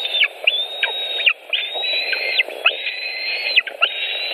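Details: White-tailed eagles at a nest in Latvia with fish, 5 July 2018 at 18:05: long high whistles, level or slightly rising, each ending in a sharp downward slur, repeated back to back over a steady low rushing background.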